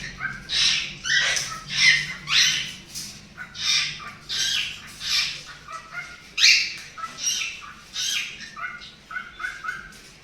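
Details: Two cute cockatiels playing and singing give a steady run of scratchy squawks and chirps, about one burst every half second, some with short whistled edges, over a quiet indoor background.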